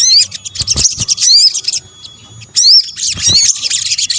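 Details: Sunbird (sogok ontong) calls combined to lure birds: rapid high twittering with bright rising whistles, a pause of about a second, then a second burst of twitter.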